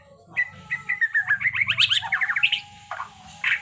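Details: Caged white-rumped shama singing a rapid rolling trill: short whistled notes climbing into a dense run of repeated chips over about two seconds, then a few separate sharp notes; faint low hum behind.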